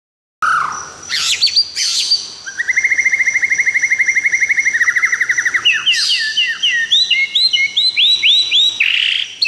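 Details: White-rumped shama from Tangse, Aceh singing: a few sweeping whistles, then a long rapid trill of repeated notes, ending in a series of looping rising-falling whistled phrases; a steady high electronic-like tone runs underneath.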